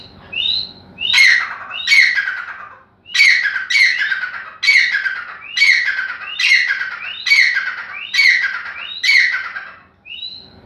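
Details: Grey francolin calling a repeated phrase: short high upslurred whistles each followed by a loud harsh squawking note, cycled roughly every 0.7 seconds for about ten seconds in a quiet setting.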